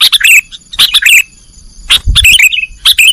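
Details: Sooty-headed bulbul, 'nggaruda' song for training cage birds: three short bursts of lively warbled notes separated by pauses, with a soft low thud in between.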